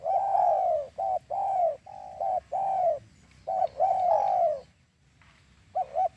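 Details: Lure recording of a spotted dove for dove trapping: a run of low, mellow coos, long slurred notes mixed with short clipped ones, then a pause and a final short double coo.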